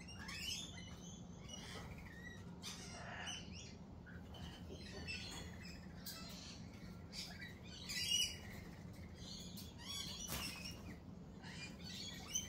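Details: Lorikeets at a cafe giving harsh, high squawks and shrill chirps in irregular bursts, several birds overlapping, with a louder screech near the middle, against constant low background noise.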